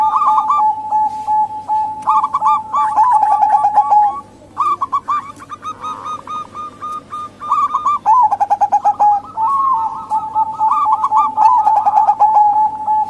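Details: Local female zebra dove calls used as a lure for males: repeated bursts of fast staccato cooing separated by short breaks, with overlapping trills from several birds.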